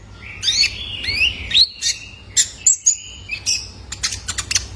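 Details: Kolibri Ninja young male, used to train caged birds: rising slurred whistles followed by sharp high chirps and a final burst of quick ticking notes.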